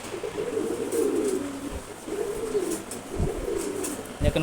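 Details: A one-month-old Maxi Racer pigeon squab utters three low, rolling coo phrases separated by short pauses, with occasional thumps and background hiss.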